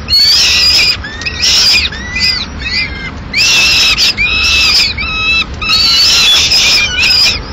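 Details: Female peregrine falcon arriving at the nest in Madrid with part of a pigeon, mid-morning: a chain of harsh wailing screeches mixed with clear, downward-slurred whistles, repeated in uneven bursts.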